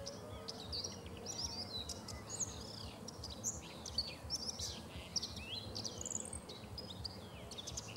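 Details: Common whitethroat singing in early June 2017 on the Sava riverbank in Prečko, Zagreb, Croatia. It gives brisk, scratchy warbled bursts almost continuously, each phrase a quick jumble of harsh notes, over constant low rumbling background noise.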